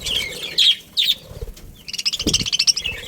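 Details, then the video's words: Chattering budgies from a family group: two loud scratchy chirps followed by a fast, busy run of high twittering notes, with a low thud in the middle. "Cute Budgies Chirping Sounds"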